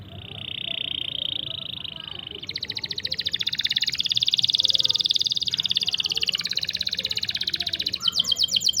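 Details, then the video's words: Long rolling canary song meant as a master tutor for stuck or young canaries: a steady high buzzing roll, then a long pulsed trill that rises and falls in loudness, finishing with a faster bright rattle. "CUIT CUIT NGEROL PANJANG. COCOK UNTUK MASTERAN MAUPUN PANCINGAN BURUNG KENARI MACET ATAUPUN PAUD"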